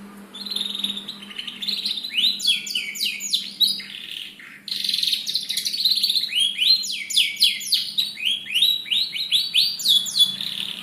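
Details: Young canary song used as a lure to prompt chirping: rapid varied twittering, trills and down-slurred whistled notes, fast repeated phrases, brief pause near four seconds, faint low hum underneath.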